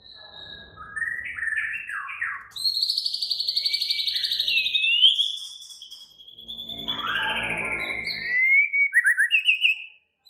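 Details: Agitated White-rumped shama in a raging, active song: a dense, buzzy trilled stream held for several seconds, sliding phrases, and a closing series of rapid repeated notes.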